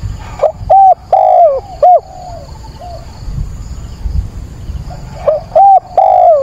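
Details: Spotted dove used as a decoy, calling at daybreak on 22 October to stir up wild birds. It gives two phrases of soft, low, hollow coos, each with four or five notes, separated by a quieter stretch.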